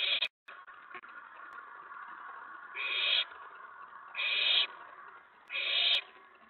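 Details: Owlet inside a nest box growing excited at night, May 19, 2017, when an adult or another owlet lands on the tray after a mouse delivery: harsh, hissy bursts about half a second long, repeated roughly every 1.3 seconds over a low steady hum.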